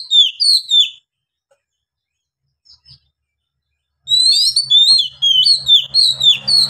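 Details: White-rumped shama in long-breathed song: a short phrase of descending whistles, a quiet gap, then an extended rapid series of rich whistled and warbled notes repeating in quick succession over a faint hum.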